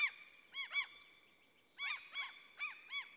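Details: Common cranes in a central Swedish forest: paired bugling notes, a pause of about a second, then four quick ringing calls, over a steady faint high background tone.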